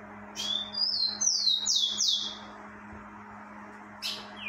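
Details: A rufous-collared sparrow in breeding season gives a short phrase of three or four clear, downslurred whistles, then a brief sharp note and a falling whistle, with a steady low hum throughout.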